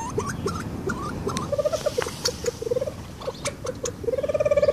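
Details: Reeves's pheasant with short upslurred notes and clucks, then brief rattling pulsed runs, ending in a longer buzzy trill.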